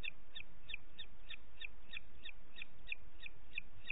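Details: Booted eagle, Parc Natural dels Ports, 29 June 2021 at 20:30: louder, harsher two-part high notes repeated about three times per second in an insistent rhythm, with low hiss underneath.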